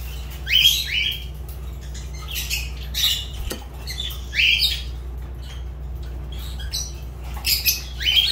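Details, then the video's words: Fischer's lovebird repeating sharp, rasping shrieks that sweep upward, about four loud calls with quieter chatter between, over a constant low hum. "Lovebird Agapornis Fischer sounds"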